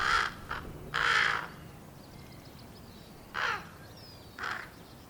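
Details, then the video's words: Impatient young common ravens, hatched April 1st 2022, waiting to be fed by their parents: four harsh grating squawks at irregular intervals, the first two close together, with faint small-bird chirps behind. "Baby ravens making noises"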